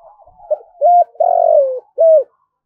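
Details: Spotted dove giving a 'thúc' call, used to lure wild doves in to fight. Soft low introductory coos lead into two stronger hooting notes, then a long buzzy descending coo and a final short clipped coo.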